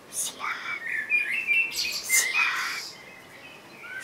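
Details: Common blackbird (Turdus merula) singing a run of warbled, fluty mid-pitched notes over about three seconds, broken by a brief, higher, squeaky twitter near the middle, then fading into quiet background hiss.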